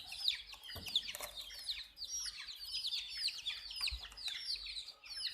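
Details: A group of colored chicken chicks chirping, thin high peeps overlapping continuously, broken by a few dull thumps and scuffing sounds.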